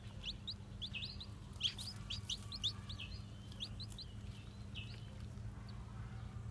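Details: Recently hatched white Japanese bantam chicks with black tails, out for a walk, give scattered high peeps in loose clusters, a couple louder, then thinning toward the end, over a low humming background.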